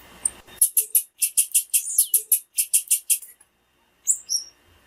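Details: Calls of a female blue-black grassquit, meant to excite males and get a quiet male singing: a steady run of about a dozen high, buzzy chirps at an even pace, followed by a pause and two brief high whistled notes.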